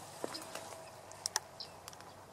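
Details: Bearded reedling at Lake Gopło, Poland, 27 December 2017: a few brief, high, metallic pinging notes scattered across two seconds, mixed with soft clicks and rustling against a steady low background hiss.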